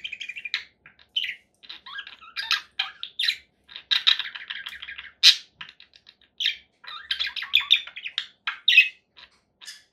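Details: Scratchy chirps and harsh squawks from a conure parakeet, mostly in quick clusters and with some louder shrill cries.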